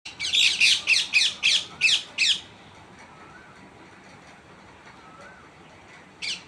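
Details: Tree parrot giving a fast series of about eight harsh, raspy squawks, roughly four per second. A pause with faint background hiss follows, then one more squawk at the end.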